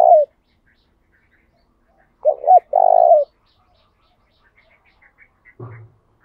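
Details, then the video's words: Spotted dove calling to lure and provoke other doves into singing: one loud phrase of a wavering double coo and a long buzzy note, followed by faint high chirps and a low knock. "Tiếng chim cu gáy mồi thúc đấu giọng hay, tiếng chim cu gáy thúc bổi nhanh về cội"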